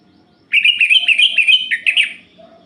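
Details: Orange-headed thrush singing at night, played to stir other males: a rapid run of warbled, slurred whistled notes around two to three kilohertz, strung closely together for nearly two seconds, then trailing off.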